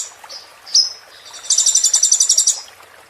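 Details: ['Sunbird song used for training caged birds, with a few high sharp notes and a bright slurred whistle, then a rapid, even, high-pitched trill lasting about a second.']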